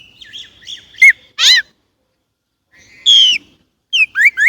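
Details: Chinese blackbird (Turdus mandarinus), song.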